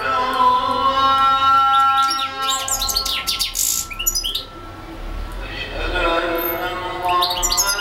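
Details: Long song bout from a European goldfinch that keeps singing for hours: bright twittering phrases and quick slurred notes, a pause in the middle, then more liquid chirps, with a constant hum of low tones beneath.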